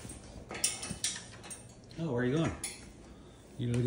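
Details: Indoor clinking of cutlery and dishes with brief bursts of a human voice and giggling; no animal is heard.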